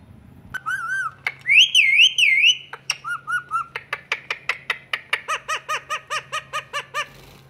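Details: Female pet Indian ringneck parakeet, a talking parrot, gives rising and falling looped whistles, then a long run of evenly spaced short chirps about twice a second, over a steady low hum.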